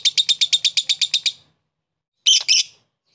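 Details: A lovebird's provoking chatter aimed at a rival: about ten rapid shrill notes in just over a second, then silence and a short harsh double call.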